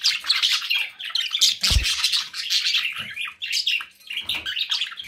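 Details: Busy chatter from pet budgerigars, thick overlapping warbles and harsh squawks, with a few soft low thuds beneath the birds.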